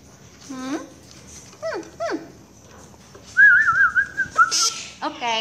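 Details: Pet Quaker parakeet at home calling for its owner ('mommy'): a few descending harmonic notes, then a long wavering warbled whistle and a final chattering burst.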